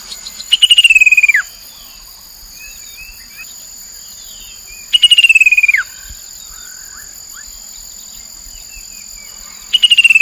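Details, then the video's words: Chestnut-capped babbler by the Mekong River in Nakhon Phanom, Thailand, 2021, played as a lure: a fast, rattling trill slides downward and ends in a sharp drop. It repeats roughly every four and a half seconds against a constant shrill insect hum. "นกกินแมลงกระหม่อมแดง Chestnut capped babbler sound"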